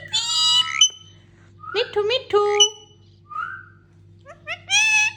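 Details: Female pet parrot indoors during daily activities, giving a run of harmonic, voice-like calls and whistles: long nasal notes, quick rising chirps and a short whistle, in phrases with brief pauses; steady low electrical hum beneath.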